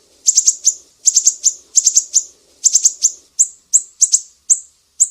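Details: From Sumatra, a mangrove whistler singing piercing 'besetan' phrases for songbird training: rapid bursts of four shrill descending chips about every 0.8 seconds, then evenly spaced single chips.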